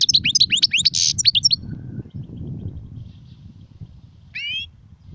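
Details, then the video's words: Goldfinch song in the sarfati and guezrati styles: a rapid burst of bright, high chirps and sliding notes at the start, a steady low hum, then one short buzzy phrase near the end. "صوت طائر الحسون نار 🔥🔥🔥 ( سرفاتي, ڨزراتي,ت سرسير )"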